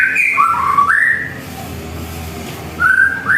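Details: White-rumped shama singing at home in the morning: a few clear whistled phrases, one falling then rising, with a quiet pause before a final upslurred whistle.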